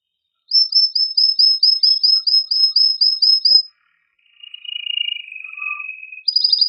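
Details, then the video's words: Male canary in vigorous, excited song to stimulate mating in females and males: a steady run of about fourteen sharp high chirps, a soft lower warbling trill, then a high rattling roll. "تغريد هائج قوي لذكر كناري من أجل تحفيز أنثى وذكر الكناري على التزاوج"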